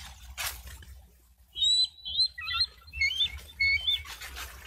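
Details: Bald eagles on a nest camera in Miami-Dade County, Florida, recorded 1 July 2023, giving a burst of high, thin whistled chirps and squeaky notes in quick succession, with a low rumble beneath.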